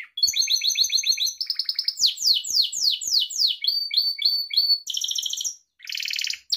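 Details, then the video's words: Gloster canary song for training pet canaries: rapid repeated chirp tours, a run of loud descending whistled sweeps, steady trilled notes and two buzzy rattling bursts, with no other sounds. "Gloster Kanarya Kuşunuzun Eğitimi İçin Orjinal Kanarya Sesi Gloster Kanarya Ötüşü Canary Singing"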